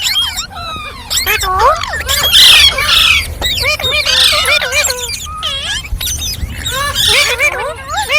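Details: Green parrots squawking and chattering, loud harsh squawks mixed with curving whistled notes that rise and fall, arriving in quick uneven bursts.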